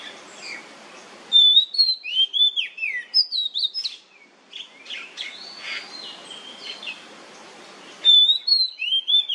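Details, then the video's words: ['Oriental magpie-robin in the nyemplong style, meant to draw other magpie-robins into song. Rich, loud whistled phrases, sweeping up and down, come in quick bursts with short pauses between them.'] "KACER NYEMPLONG PANCINGAN KACER AGAR MAU BUNYI DIJAMIN NYAUT"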